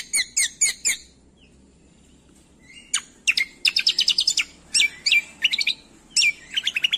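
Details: Greater green leafbird used as a master for training songbirds: three loud harsh chirps, a quiet gap, then a dense rapid chattering of bright, repeated, trilled and whistled notes.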